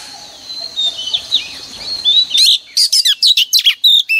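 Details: A female oriental magpie-robin lure sings to stir males into song each morning. Faint, thin whistles over soft background hiss give way to a quick, loud run of clipped, varied notes, each roughly a tenth of a second.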